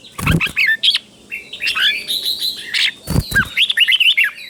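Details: Caged red-whiskered bulbul teacher bird used to train young birds, giving softer bright warbling phrases between two loud knocking thumps, ending in a quick series of rising and falling notes.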